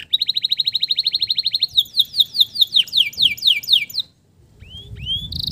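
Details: Male canary song used as a lure to restart stressed canaries that have stopped singing; fast even trill of short notes, then a slower series of loud downward-sweeping whistles, a brief pause and rising slurred notes.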